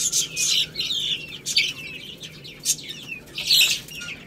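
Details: Chicks eating rice, giving a dense chorus of high, thin overlapping peeps, with sharp clicking pecks and scuffles in between.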